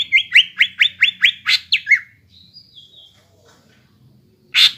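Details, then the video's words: ['Repeated rising whistled notes from a greater green leafbird, sung to encourage young leafbirds to sing, then a softer high trill, quiet gap and one loud harsh note at the end.'] "PANCINGAN CUCAK IJO BAHAN ATAU BAKALAN AGAR CEPAT GACOR"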